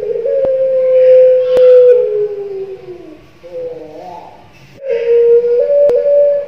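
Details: Young Barbary dove wearing a leg ring, puter pelung style caller. A sustained steady coo slowly falls in pitch, pauses with a quieter wavering note, then resumes as another long even tone, with occasional sharp ticks.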